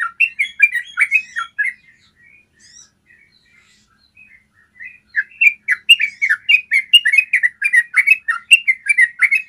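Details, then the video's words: Yellow-vented bulbul, long clear 'ropel' trill used as a master recording to prompt birds to sing; quick bubbly chirping phrases, a near-silent pause with faint notes mid-way, then a lively run of repeated rising-falling chirps. "Masteran ropel panjang suara jernih bikin trucukanmu jadi rajin ropel"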